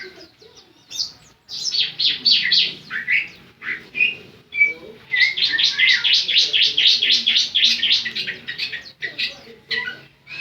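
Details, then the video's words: Javan sun-bird, a semi-gacor songbird, singing fast runs of high chirped notes about four per second, with short whistled phrases between bursts and a faint low hum underneath. "Ciblek Semi Gacor# Burung Ciblek"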